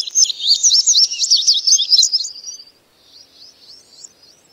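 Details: An Indigo Bunting sings a bright, high string of quick paired notes over about two and a half seconds, then softer, fading phrases follow.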